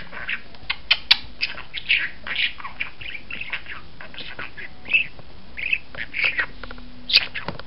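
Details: Budgerigar kept as a pet, looking outside and calling: a lively run of brief squeaky chirps and warbled notes, uneven in timing, with faint background hiss throughout.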